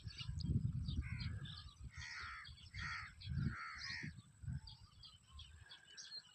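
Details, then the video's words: Birds calling in a village in summer: harsh, hoarse cawing notes repeated irregularly about twice a second over steady low rumbling background noise. "CHIRPING SOUNDS OF BIRDS"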